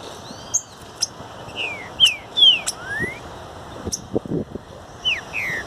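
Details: Green-winged saltator song recorded outdoors for training: scattered clear whistles, downward slurs and one long rising note, with faint low knocks and handling noise midway.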